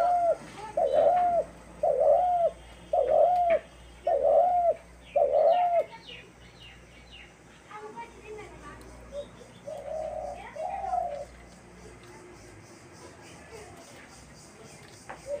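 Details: Dove recorded on March 28, 2024: five loud, evenly spaced, hooked coos open the recording, about one each second. They are followed by quieter, scattered calls and faint background chirping.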